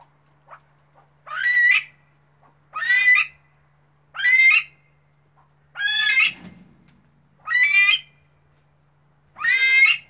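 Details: Female Himalayan monal giving six loud, harsh, harmonic-rich squawking calls spaced roughly every one and a half seconds, each slightly rising then falling, with faint short clicks between them and a low steady hum.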